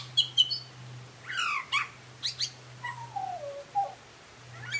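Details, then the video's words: Butcherbird song of varied whistles: short high notes open, then steep rising-and-falling slurred phrases and a long descending whistle, over a constant low background hum. "Butcher bird singing"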